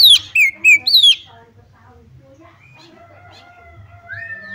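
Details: Female Oriental magpie-robin calling to stir other magpie-robins into loud singing; four bright slurred notes, high falling sweeps alternating with lower dipping notes, followed by quiet with faint drawn-out tones.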